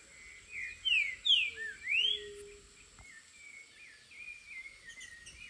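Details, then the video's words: Wild green-winged saltator singing in nature: loud, clear whistled phrases of slurred rising and falling notes in the first seconds, then softer distant bird chirps over steady background noise. "Trinca Ferro na natureza! Trinca-ferro maravilhoso!"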